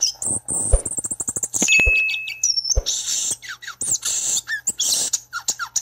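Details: Violaceous euphonia of the family Fringillidae: a fast, high twittering series, a level whistle, then mixed buzzy bursts and short downslurred notes in quick succession. Occasional low thumps are heard.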